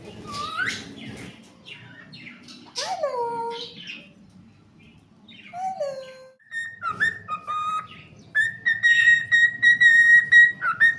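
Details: Pet cockatiel singing: a jumble of short chirps and falling slurred notes gives way to steady, held whistles at one pitch, separated by brief breaks.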